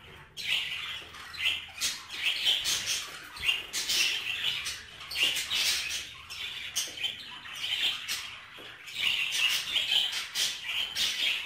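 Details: Budgerigars mating inside a cage, giving continuous high, scratchy warbling chatter in rapid uneven bursts with brief pauses throughout.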